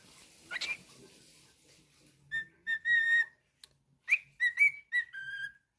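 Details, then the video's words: Pet cockatiel whistling indoors: after a faint rising squeak, a run of short clear whistles near one pitch with rich overtones, some slurred downward, in uneven bursts with brief pauses. "Monty The Naughty Cockatiel's weekly moments"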